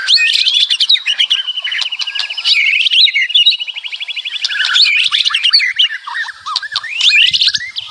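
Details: Loud White-rumped shama song packed with varied phrases, including long fast trills of rapidly repeated high notes between twisting whistled phrases.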